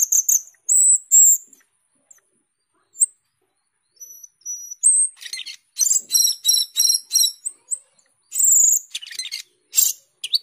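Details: Asian glossy starling singing continuously: a lively, jumbled run of thin high whistles, sharp clicks and buzzy, ringing notes, with brief pauses between bursts.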